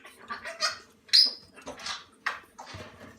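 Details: Moluccan cockatoo chicks under a month old being hand-fed porridge give harsh, raspy, hissing squawks in short bursts about every half second, with one louder shriek in the middle, in a quiet room.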